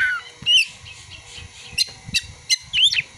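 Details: Oriental magpie-robin song built from imitated prinia and sunbird calls, heard as a falling opening whistle, scattered thin sharp ticks and a final rising-falling sweep, with soft low rustling beneath.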